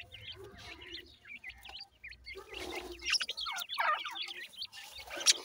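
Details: Grey francolin chicks, called Irani bhura teetar, giving a steady stream of sharp, high peeps, many rising then falling, several birds calling at once and growing denser midway, over faint background rumble.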